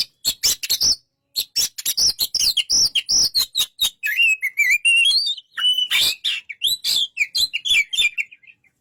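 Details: Energetic oriental magpie-robin song, opening with rapid sharp ticking notes and high whistles, then shifting into a rich warbling stretch of slurred, wavering whistles interrupted by loud clicks, trailing off at the end.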